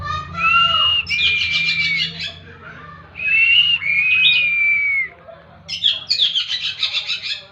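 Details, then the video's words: Oriental magpie-robin in 'tembakan' song. Loud sustained whistles mixed with rapid harsh rattling notes, with two long whistled phrases then a fast scratchy chatter near the end. Steady low hum behind. "Tembakan burung kacer"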